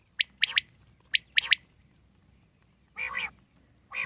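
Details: Two crisp, high quail phrases of quick clipped notes, then a pause and two rougher, lower buzzy notes, from a wild common quail in calm surroundings.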